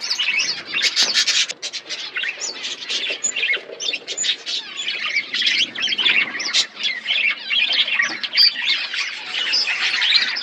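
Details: Colony of budgerigars chirping steadily: many birds chatter at once in rapid, high, squeaky and buzzy notes, an unbroken flock chorus for the whole stretch.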